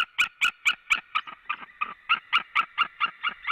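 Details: Pair of white-tailed eagles at a Latvian nest, both calling as the male returns, midday on 23 February 2017; a steady run of about fourteen loud, sharp yelps, roughly two per second, possibly from two overlapping voices.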